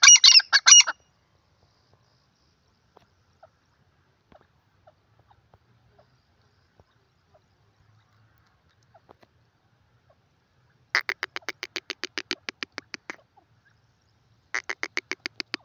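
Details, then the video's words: Grey francolin giving short bursts of harsh ringing notes. One brief phrase opens, then a long near-silence with faint ticks follows. A rapid rattling series of evenly spaced pulses comes next, with another short rattling burst at the end. "grey partridge voice teeter francolin teetar awaaz"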